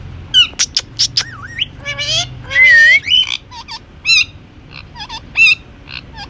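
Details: Pet Indian ringneck parakeet mixing talk with whistles. Rapid sharp chirps and swooping whistles surround a few harsh, speech-like syllables. A steady low hum runs early on.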